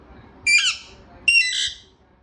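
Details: A pet talking parrot lets out two loud, harsh, drawn-out squawks in quick succession, less than a second apart.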